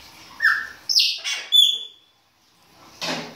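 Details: Baianinho-style winter song from a Chopi blackbird: a few loud, well-spaced whistles, one flat and low, others higher and sliding, then a pause and a harsh burst.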